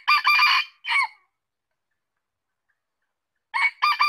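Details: Red junglefowl giving a hoarse, clipped crow that ends in a short falling note. After about two seconds of silence, another crow begins.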